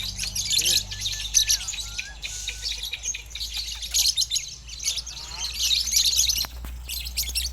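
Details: Lovebird performing at a singing contest judged by a West Sumatra panel: dense, rapid, high chirping and twittering in bursts, with brief pauses near two and five seconds, over faint background music and a low hum.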